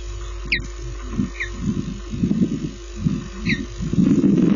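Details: Osprey with a fish for its chicks, nest camera at Lipka, Poland, 25 June 2016, 15:54; three sharp, high chirped whistles, the first strongest, over rumbling wind and buffeting noise.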